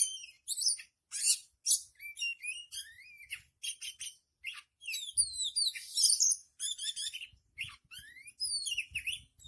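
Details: Kacer, the Oriental magpie-robin, in nonstop song used for training: dense run of high, rich whistled phrases, sharp chirps and quick rising and falling slurs, delivered in bursts of about a second with short gaps.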